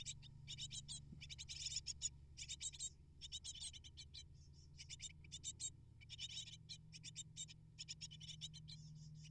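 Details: Hungry great tit nestlings begging during parental feeding visits, twelve prey brought in twelve minutes; continuous sequence of harsh, buzzy bursts, stuttering and rhythmic, with low-pitched hum underneath.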